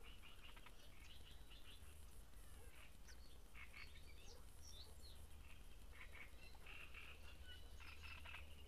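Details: Great reed warbler (Acrocephalus arundinaceus) at Grachevka sings faint, harsh, croaking phrases of repeated grating notes in short bursts, over a steady low rumble.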